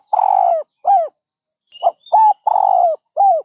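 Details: Dove cooing close by: a long rough coo and an arched hoot, then a pause, then a short note, a hoot, another long coo and a last hoot. Thin whistles of small birds faintly heard.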